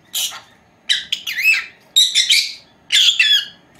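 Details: Four-month-old female lovebird pair at home during a nap; short groups of harsh chirps and a few swooping whistled notes, four bursts in under four seconds.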